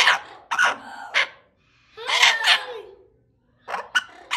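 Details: Two bonded Amazon parrots in a sanctuary yelling at caregivers: harsh, noisy squawks in three bursts separated by short pauses, the middle burst longest with a falling tonal slur, recorded indoors.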